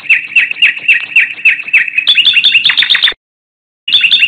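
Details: A common nightingale (also described as a thrush nightingale) sings in spring at sunrise beside a flowing river: a run of repeated high chirping notes, about four a second, speeding into a rapid rattling trill, then a brief silence before resuming.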